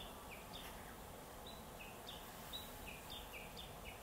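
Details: Black-faced bunting (Emberiza spodocephala), call.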